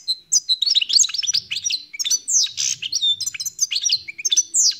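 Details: Song of a wild-caught European goldfinch: a steady stream of bright, liquid chirps and rising and falling slurs, with one brief harsh buzzy note in the middle.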